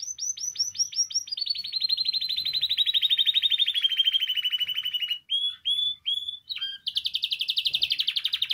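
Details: Canary singing, played to encourage canaries to sing: a rolling trill descending slowly over five seconds, a few separate short whistled notes, then a brisk high pulsed trill.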